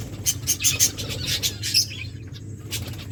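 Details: Finches in an aviary chirp in a quick burst of high, thin tweets, several a second, then go quiet with a single later note over a low steady hum.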